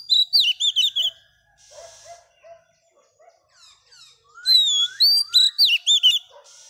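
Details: Female Oriental magpie-robin, recently caught from the wild, singing to excite males. Two bursts of sweet, rapid whistled and warbled phrases are separated by a quieter stretch of faint calls and soft rustling.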